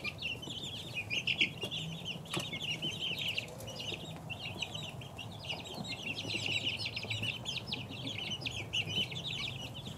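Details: Two-week-old chicken chicks peeping continuously, a flock of many high, short chirps overlapping in dense bursts, with a low background hum throughout.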